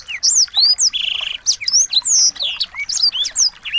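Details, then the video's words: Chattering small birds used to stir a white-rumped shama into song: rapid high chirps and curved whistles pour out without pause, with a short rattling buzzy trill near one second and scattered sharp downslurred notes. "masteran burung kecil agar murai batu gacor"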